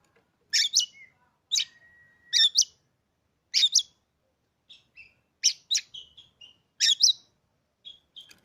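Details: Harsh, scratchy double notes from a caged Oriental magpie-robin bought three days before, repeated every second or so, with a long thin steady whistle and short soft whistled notes filling the gaps.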